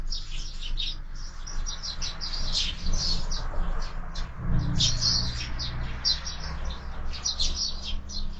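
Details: Sparrows feeding at a window-mounted feeder keep up a steady chatter of short, high chirps from several birds at once, over a constant low rumble of background noise.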